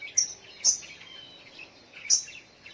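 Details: Sogok ontong bird heard in the morning, giving sharp high chips: two close together then another after a pause, over a soft background of twittering birds.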